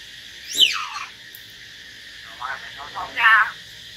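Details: Common hill myna performing solo with a white-rumped shama: a harsh, sweeping downward screech, a pause, soft wavering notes, then a loud, buzzy, rattling call.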